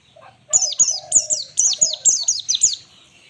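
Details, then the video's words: White-eye (Zosterops) singing in the 'ngalas' style, used as a master recording for training birds: a quick run of high, sharply down-slurred whistled notes in steady bursts, with a lower, steady tonal note sounding beneath. "pleci full ngalas standar || zosterops"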